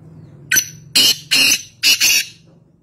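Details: Wild black francolin, or kala teeter, recorded at Nawabshah, Pakistan, giving one full harsh call phrase: a brief sharp opening note, then three loud scratchy, buzzy notes in quick succession over a low steady hum.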